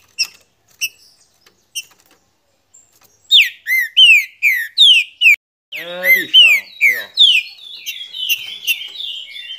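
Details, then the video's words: Green-winged saltator sings loud, rich whistled notes that slur downward, about one a second, after a few faint chips; a man's voice briefly overlaps. "TODO TRINCA FERRO CANTA COM ESSE TRINCA"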